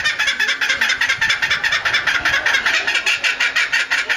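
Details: At Higashiyama Zoo, Japan, on 25 May 2011, a laughing kookaburra keeps up a fast, raucous chuckling laugh, harsh notes pulsing evenly and loudly in a continuous chorus that really resembles human laughter.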